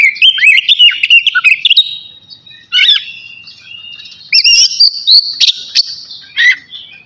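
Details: Oriental magpie-robin of the navy type singing before bathing: a fast jumble of whistled chirps, then quieter spaced phrases with short bright whistles and trills separated by pauses.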